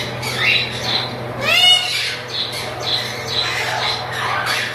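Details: Chattering lory breeding pair, pet birds, giving a sharp rising squawk with a whistled upslur, followed by softer rasping chatter, over a constant low hum indoors.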